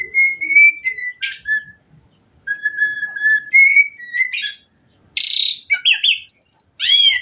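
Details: Asian pied myna giving a rich, varied song used to encourage other mynas to sing: level clear whistles separated by short harsh bursts, then loud noisy rasps, a high thin whistle and quick rising notes.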